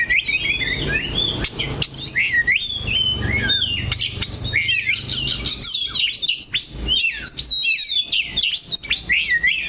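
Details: Oriental magpie-robin kept in a cage, staying on a single perch while pouring out loud, varied song: looping whistles, quick slurred notes and sharp tweets packed closely together over a low hum.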